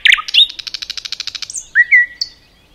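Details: Common nightingale singing in woodland, starting with loud grating notes, then a rapid rhythmic trill of evenly spaced pulses, followed by a high whistle and a clear downslurred whistled note.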